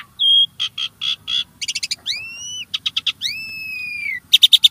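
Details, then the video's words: Starling song meant to coax caged birds into song, mixing a steady pure whistle, buzzy pulsed notes, two long upslurred whistles that level off, and a final series of sharp repeated chips. "Kicau Burung Jalak | Cocok Untuk Pancingan"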